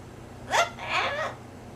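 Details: Pet female Blue-fronted amazon parrot vocalizing indoors beside its owner: a sharp harmonic squawk, then a longer wavering speech-like utterance lasting about half a second, with low room hum underneath.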